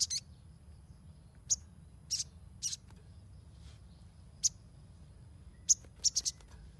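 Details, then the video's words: Sunbird used to train young birds: high, scratchy chirps, single and paired, then a quick run of three near the end, over steady low background noise. "SOGON NYERECET !! Pancingan untuk burung bahan"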